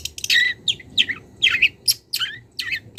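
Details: Young wild long-tailed shrike calling a rival, starting to show mimicked notes: about seven quick slurred chirps, several sweeping down, sounding squeaky and twittering against a quiet background.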